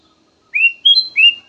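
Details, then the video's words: Kutilang emas, soothing song used as a lure: three smooth whistled notes, the middle one highest, flowing together in one short phrase. "VARIASI KICAUAN BURUNG KUTILANG EMAS SYAHDU DAN COCOK BUAT PANCINGAN"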